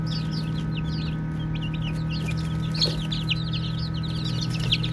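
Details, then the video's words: Many baby chicks peep as they play, giving quick, high, slurred chirps in irregular overlapping bursts. A constant low droning hum runs underneath. "5 Minutes of Baby Chicks Chirping Sounds | Cute Playing"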